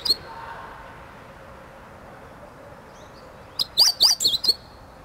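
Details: Meadow bunting practising song at close range on 8 March 2011, as calls give way to full song; one lone high note, a long pause, then a rapid phrase of five bright, looping chirps.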